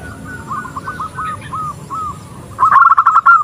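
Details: A female zebra dove calls for the male. Gentle, evenly spaced curved coos lead into a sudden loud, fast rattling series of short notes near the end.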